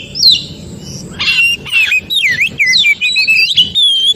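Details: Oriental magpie-robin singing in its native forest, a recording used as therapy to get other magpie-robins singing: a rough squawk, then a chain of bouncing, swooping whistles and a long high note, with low hum behind.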